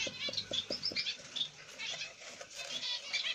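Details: A zebra finch family, a grey light-backed black-cheeked male with a pied female and their chicks in the nest, gives high, thin chirps and nasal peeps in a busy chatter, with a quick series of soft taps early on.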